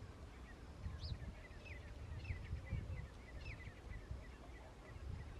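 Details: Grey francolins (teetar) on a farm, rival groups fighting over territory: squeaky upswept notes rising in pitch, repeated in an irregular series over a constant low rumble.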